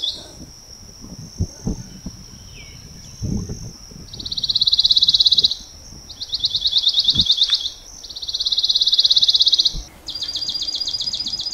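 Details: Pine Warbler at a feeder in the North Florida Panhandle with recorded Pine Warbler calls playing: three fast, even trills of rapid high notes, each about two seconds, over a thin steady high whine and soft low knocks.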